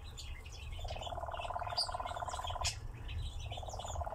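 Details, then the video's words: Nightjar at a steep ravine bank churring in a dry, rapid rattle for about two seconds. It breaks off, then starts again, with scattered high bird chirps and low background rumble. "Козодой на яру"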